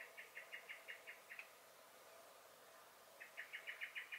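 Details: Garden common blackbird, recorded 23 May 2021, alarm calling: two bursts of sharp, evenly spaced notes, roughly seven each, split by a pause of nearly two seconds.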